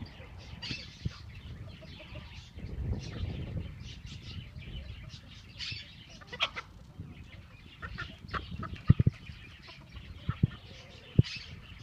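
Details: Young roosters squabbling over a hen on their first free-range outing, two flocks of four; irregular soft clucks and flapping, with a few louder sharp clucks in quick succession late on.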